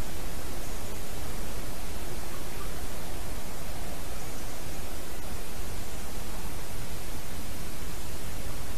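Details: Unbroken, even static hiss at dawn near a nest, covering all pitches, with no call heard.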